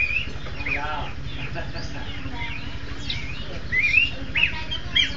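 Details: Horsfield's babbler pair singing a duet: scattered clear whistled notes and short slurred phrases, brighter and louder toward the end, over a steady low hum.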